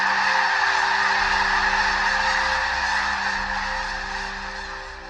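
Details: Tens of thousands of snow geese arrive on southern Alberta prairie wetlands in early spring to feed and rest before moving on to the Arctic. They call as one dense, continuous roar of overlapping nasal, yelping honks, with no single voice standing out.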